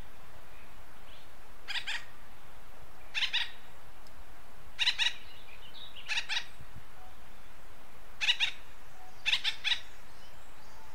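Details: Six raspy bursts of doubled and tripled notes from an acorn woodpecker, western North America, spread through eleven seconds with faint softer chatter between them.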